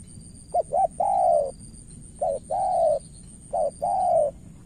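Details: Spotted dove used as a decoy in Cà Mau, Vietnam, facing a skilled opponent: three cooing phrases, the first with two quick notes before a long coo, later ones short-then-long, faint high hum throughout.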